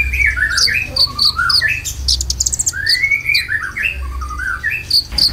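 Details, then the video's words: Konin song used as a lure and filler song for caged birds, with varied sweeping whistled phrases rising and falling, sharp high chirps between them, and a low steady hum underneath. "PANCINGAN KONIN ISIAN"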